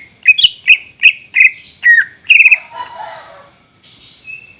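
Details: Greater green leafbird singing, used as a lure for caged birds: a quick series of bright whistled notes, a falling slur, a buzzy chattering burst, then a soft rasping sound and a thin whistle.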